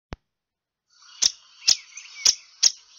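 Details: A Downy Woodpecker on 20 February 2016 gives a single click, then four sharp, high, clipped notes about half a second apart over a faint steady high hiss.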